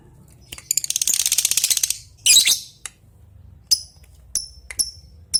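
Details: Lovebird calling an opponent with a long ngetik call, a rapid even run of dry high ticks lasting over a second, then a harsh rasping burst and several short sharp separate chips.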